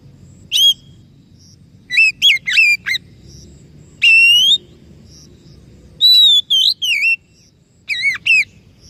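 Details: White-rumped shama, a caged bird shown as recovering from silence and stress to sing loudly again, giving loud clear whistled phrases, some rising, some with buzzy harmonics, in bursts separated by short pauses; faint low hum underneath.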